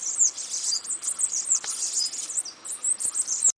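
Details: Bananaquit song: a very high, thin, buzzy rush of hissing, sputtering notes, run together in quick uneven bursts, with no other sounds; played for comparison with the similar but distinct song of the golden-crowned warbler in Brazil.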